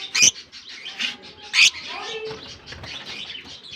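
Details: Lovebirds newly let into their colony for the summer season, sharp shrill chirps, two loud ones in the first two seconds, then a steady wash of softer high twittering from many birds.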